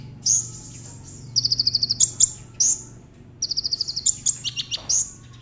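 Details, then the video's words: Lure song of the Brown-throated sunbird, or konin, aimed at prompting other sunbirds to sing: high, evenly pulsed trills and thin upslurred notes in two phrases over a steady low hum. "Pancingan konin agar cepat nembak"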